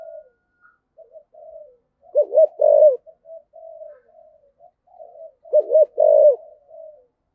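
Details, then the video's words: Spotted dove giving its calling coo in the 'giọng thổ' (cúc đình) style: soft low introductory hoots, then a loud paired deep coo, repeated twice about three and a half seconds apart, with no other sounds. "cu gáy giọng thổ, cu gay giong tho cuc dinh gay gọi"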